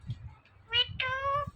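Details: Indian ringneck parrot mimicking speech, saying "Mithu": a short harmonic squawk followed by a longer, steady, nasal tonal syllable, with low room rumble and a person's voice nearby.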